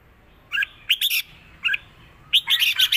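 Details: Caged Red-whiskered bulbul singing a Thai southern-style (phleng tai) "rik" song: a few short, bright warbled phrases with gaps of quiet between them, including a quicker burst of rippling notes near the end.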